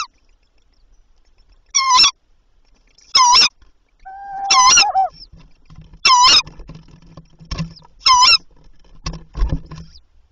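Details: Tawny owl nest with three young at night on 29 April, as the male delivered a mouse and the female came and went with prey: harsh raspy screeches, about six in ten seconds, one lower wavering note, faint hum.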